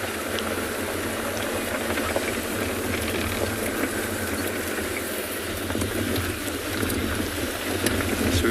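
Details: Steady engine rumble and broadband mechanical noise, with faint voices and no clear animal calls.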